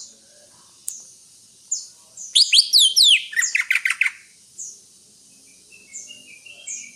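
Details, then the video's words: Greater green leafbird giving isolated high chips before a loud, dense burst of quick rising and falling whistled notes, followed by softer thin twitters. "Suara burung Cucak Hijau"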